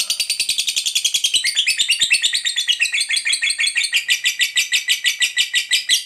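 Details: Lovebird fighter in ngekek panjang, long chatter used to lure other lovebirds into answering: six seconds of continuous, fast, shrill chattering notes, about three a second, changing texture midway.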